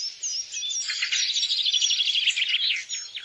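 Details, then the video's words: Rapid, high, jumbled twitter from a wild bird, with fast trilled chirps blending into one continuous, shimmering stream of sound. "kicau burung di alam liar"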